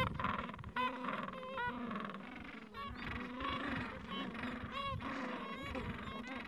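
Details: Busy gentoo penguin breeding colony, Falkland Islands, mild afternoon, parents tending nests and chicks of two to three weeks; many harmonic, slightly wavering calls overlap with brief upswept notes repeating roughly every second.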